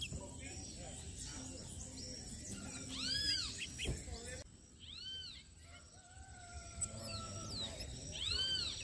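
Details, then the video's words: Brown chestnut-bellied seed finches, known locally as towa towa, in a head-to-head singing competition in Guyana, 2021: clear arched whistled notes with ringing overtones, given singly every couple of seconds over steady background hiss and faint voices. "BROWN vs BROWN TOWA TOWA"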